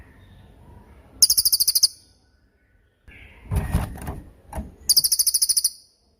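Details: Lesser forktail master recording for tutoring songbirds: two bursts of about eight quick, piercing high notes each, separated by low rumbling noise and a brief scraping sound.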